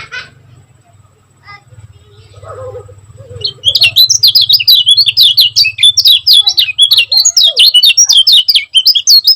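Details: After a few seconds of faint low hum, a Lombok lemon-bellied white-eye bursts into fast, close-packed 'gacor speed rapat' twittering. The short, high, up-and-down notes tumble out continuously.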